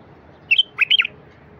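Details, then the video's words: Song of a wild bulbul, used to get silent wild bulbuls singing: two quick high notes, then a short bubbling phrase of fluty whistles dipping and rising, with low steady hiss behind. "تغريد لفتح البلابل الوحشية الساكتة"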